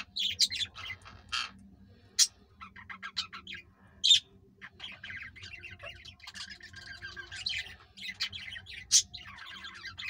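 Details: A green rose-ringed parakeet pair trying unsuccessfully to mate keeps up a fast, scratchy chatter broken by a few loud, shrill squawks a couple of seconds apart, over a faint low hum.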